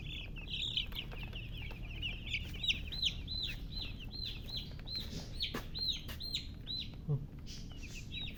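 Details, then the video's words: Chicks chirping in bright, arched high peeps, several per second, with occasional clicks and soft knocks behind them. "silly chicken chirping sounds"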